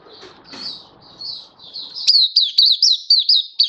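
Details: Oriental white-eye, a hobby bird in happy, open song on 24 February 2023. Soft high notes over low murmuring room noise, then a lively train of loud, high, rapidly repeated slurred chirps.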